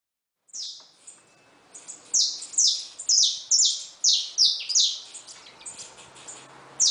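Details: Free-living saffron finches at a feeder, a run of sharp high chirps repeated roughly every third of a second, bright and descending, several close together, little background noise.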